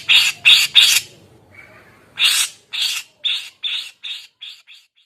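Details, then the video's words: Grey-cheeked bulbul singing in a lively, continuous style, said to stress rival birds into silence and spur young birds to join in. Three loud harsh bursts, then a short pause with a faint low note. A run of eight rasping, chattering notes follows and gradually fades. "Cucak jenggot gacor bikin jenggot susah bunyi stres maupun bahan terpukao ikutan bunyi"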